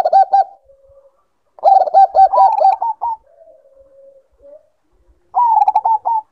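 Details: Caged Bangkok-type zebra dove in breeding condition gives a short burst of clipped coos, then a longer run of rapid staccato notes ending in a soft low purr, and starts another fast phrase near the end.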